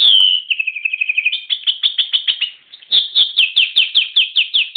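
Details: Canary song opening with a clear whistled note, then a quick rolling trill and a long series of evenly repeated sharp chirps, about two per second, bright and ringing.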